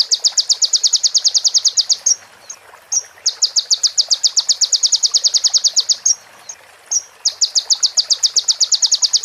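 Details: Sunbird training recording filled with female prinia and ciblek phrases: three long, rapid, high ticking trills of two to three seconds each, separated by short whistled chirps.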